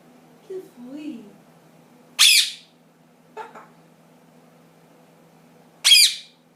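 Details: Young pet ring-necked parakeet, ten months old, indoors. Three loud, harsh squawks spaced a few seconds apart, with a faint murmur before the first.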